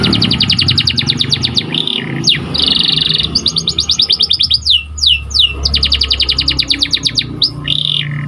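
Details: Training song of a white canary, a long run of rapid high chirp trills, rolling buzzy phrases and sharp down-slurred whistles, with a steady low rumbling background noise throughout.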